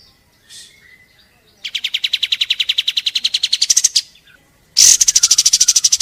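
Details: Pied triller song used to stir caged birds into singing: a rapid rattling trill of repeated notes, rising slightly in pitch, then a brief pause and a higher, very fast trill.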